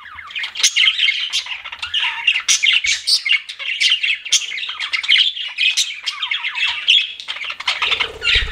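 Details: Several pet budgies chatter nonstop, with rapid squeaky chirps, warbled twitters and short scratchy notes tumbling over one another, and a brief low thump near the end.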